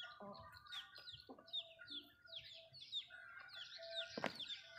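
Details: Malay chickens feeding at a backyard home: steady high, descending peeping notes, a few short low clucks, and a sharp pecking knock near the end.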